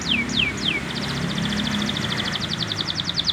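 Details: Learning song of a young male canary: three sharp descending whistles, then a quick, even trill of short high notes repeated several times a second. A constant low rumble sits in the background.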